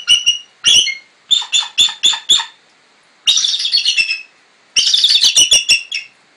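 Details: Twenty-year-old female bald eagle in captivity, found injured beneath a Sitka power line, calls in short high piping notes, some in quick groups of four or five, and twice breaks into long, squealing, rapidly pulsed chatter.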